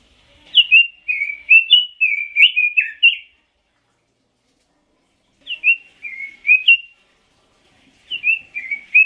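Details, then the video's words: Red-billed leiothrix singing cheerful, rapidly warbled whistled phrases that rise and fall, a long phrase followed after a pause by two shorter ones, clean with no other sounds. "Kicau Burung ROBIN"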